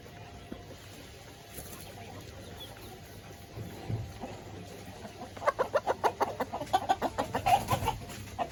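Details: Village chickens in a coop at feeding time: after a quiet start, a quick run of sharp clucks begins midway, repeating several times a second until the end over a low background rumble.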